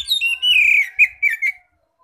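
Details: Oriental magpie-robin song in ngeplong style, meant to draw in other magpie-robins; a loud, clear whistle falling steadily in pitch, followed by two short, sharp whistled notes and a quiet finish.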